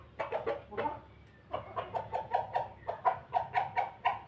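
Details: A Pelung cock eats and calls in a laughing style, stringing together loud, evenly spaced, clucking notes about four per second after a brief opening flurry.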